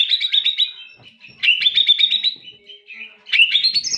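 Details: White-rumped shama singing high, quick repeated chips in three bursts of rapid stuttering notes, each run ending with a brighter rising flourish.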